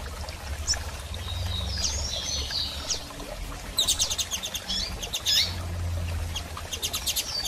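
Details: Female double-collared seedeater calling while soliciting mating: short, thin high chirps and squeaky notes, scattered and irregular, with a burst of rapid clicking, rattling sounds midway and a low steady hum beneath.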